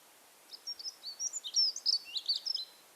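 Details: Dunnock song from gardens and parks of Monkstown Village, Dublin, in spring: a thin, scratchy, high-pitched warble of rapid jumbled notes, very even in pitch and volume, lasting about two and a half seconds, over quiet background.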